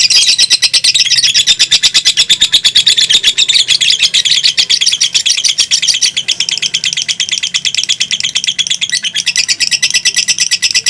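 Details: Competing fighter lovebirds, a pair pushing a long song past two minutes, pour out a dense high rattle of quick chirps that runs without pause, shifting a little in pitch near the end.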